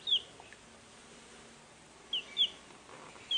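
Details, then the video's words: Young farmyard chicks giving a few isolated high descending peeps, widely spaced with near silence between. "Chicks (and Chirping)"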